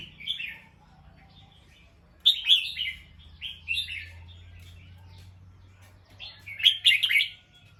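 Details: Bulbul on alert after hearing a sound, giving short bubbly, slurred chirping phrases in a few bursts separated by pauses, with a faint low hum in the background.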